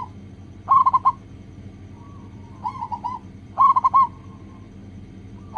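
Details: Local zebra dove song used as a lure to get other doves singing quickly: three bursts of rapid, bubbly cooing notes, each phrase a quick run of four or five rolling coos, separated by pauses over a faint background hum.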